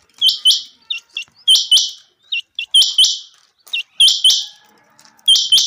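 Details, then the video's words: Summer-meadow common quail giving loud clipped doublets introduced by faint pips. The phrase repeats regularly, roughly every second and a quarter, against a quiet background. "common quail. bird sounds from summer meadow"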